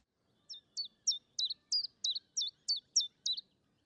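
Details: Common Chiffchaff at Gibraltar Point, Lincolnshire, giving a steady series of ten high, sharp two-note chips, about three per second, alternating slightly in pitch; otherwise quiet.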